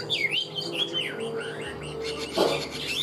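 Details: Male Chinese hwamei (Garrulax canorus), a caged bird kept for singing and fighting, about 90–95% tame: loud, rich whistled phrases swooping up and down in quick succession over a steady low hum.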